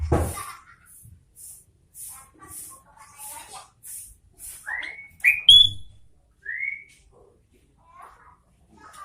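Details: Sooty-headed bulbul in vigorous song after a low thump, with soft whistled notes amid regular high hiss bursts, then loud ringing rising whistles and a further upslurred note before quieter calls.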